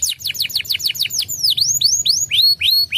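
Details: Canary singing as a provocation recording to stir another canary into song: a quick series of falling high notes gives way to sweeping, rising and falling whistles spaced about a quarter second apart, with a faint low hum.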